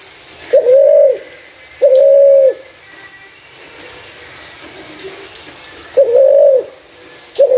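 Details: Spotted dove with a clear voice suited to luring other doves: four smooth, even coos, two early and two after a long pause, the last cut short; faint hiss behind.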